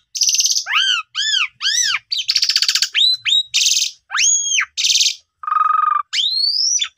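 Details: Song of an Asian pied starling meant to prompt young starlings to sing: repeated arched ringing whistles alternating with loud rasping bursts, a low nasal note and a final rising whistle.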